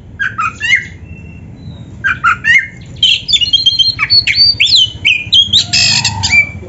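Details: Oriental magpie-robin singing actively in a dense, fully filled song style from Indonesia: phrases of varied whistles and chattering notes come in two bursts, then a long run of rising and falling whistles ends in a harsh buzzy rasp.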